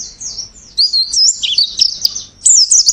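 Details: Oriental white-eye warbling from a long varied song recording: a jumbled, twittering run of high slurred and twisting whistles without steady rhythm, loudest toward the end.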